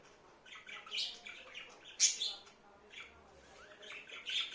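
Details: Talking budgerigar at home murmuring soft, chattering warbles broken by a sharp, high squeak and a few louder chirps toward the end.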